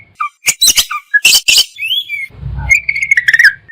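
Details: Oriental magpie-robin (kacer) giving loud harsh squawky bursts among short whistles, then a sustained wavering whistled trill, as part of a song full of fill-ins and shots; a brief low hum underneath.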